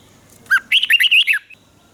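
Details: Red-whiskered bulbul from Thailand, a caged bird, singing a southern master-style song used to stimulate other caged bulbuls and teach young ones: one quick bubbly phrase of about six loud, rich whistled notes that rise and fall, with quiet surroundings.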